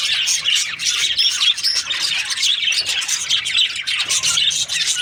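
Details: Many budgerigars chirping in breeding season, a dense stream of bright twitters, brief squawks and chattering warbles layered over one another without a pause.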